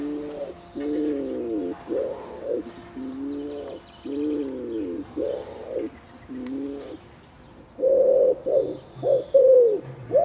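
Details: Wood pigeon cooing in courtship of its female: breathy, falling coo notes in slow pairs, then a louder, brighter burst of quick coos near the end, with faint twittering birds behind.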